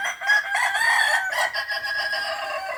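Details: Balenggek rooster at a crowing practice contest in Ampang Kualo, Kota Solok, giving a long harmonic crow that wavers in pitch and holds steady for nearly three seconds. A background voice counts numbers.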